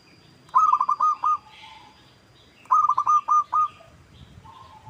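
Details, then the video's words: A local zebra dove lure call that coaxes other birds into answering: two matching phrases, each a fast stuttering run of five or six purring notes, spaced about two seconds apart, with soft chirps faintly in the background. "Pancingan PERKUTUT LOKAL Agar Bunyi"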